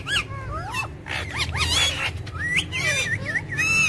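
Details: ['Ring-necked parakeet talking, described as funny and angry: a run of curved, harmonic-rich whistled sweeps rising and falling, with looping wavy notes near the end, over a low steady background hum.']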